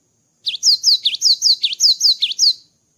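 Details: After moulting, a cinereous tit sings a brisk series of roughly nine shrill paired notes, a downslurred high whistle followed by a dipping lower one, repeated rhythmically for two seconds in otherwise quiet surroundings.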